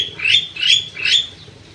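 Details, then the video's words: Crewet bird in an aviary giving three harsh, buzzy, rasping calls in quick succession, each about a third of a second long, evenly spaced. "BURUNG CREWET"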